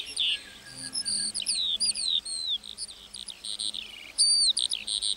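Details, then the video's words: A lark singing in a meadow at dawn pours out a continuous, high, rapid song of trills, slurred whistles and buzzy chirps without pause, with no other clear sounds. "Singing lark"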